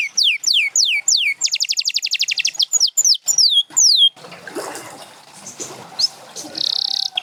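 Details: Champion canary sings repeated downward-swept whistles, a rapid trill, and more falling whistles; afterward comes a noisy, splashing, hissing stretch with a brief high buzzy burst near the end.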